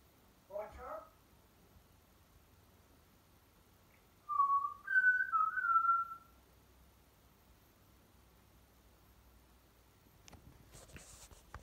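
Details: Pet male African grey parrot indoors, making background noises while left alone: a short husky burst, then a run of three clear whistled notes stepping up and down over two seconds, and later faint rustling.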